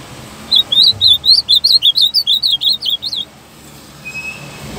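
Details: Azulão song phrase, delivered firmly: a quick string of bright, clipped, up-and-down slurred notes lasting about three seconds over a faint background hiss, then silence with a thin distant tone.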